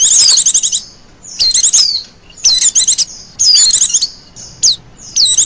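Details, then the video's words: Female Oriental white-eye calling, used as a lure for other birds: bursts of rapid, high, buzzy chirring trills with descending whistled slurs, each lasting under a second and separated by short pauses. "pancingan pleci betina ngecirrr"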